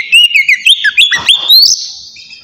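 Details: A white-rumped shama's relaxed lure song: a rapid series of clear whistled notes stepping upward, ending in a long high sustained whistle that fades away.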